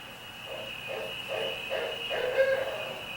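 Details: A Barred Owl calling at night gives a quick run of five low, mellow hoots about half a second apart, over a steady high insect-like drone.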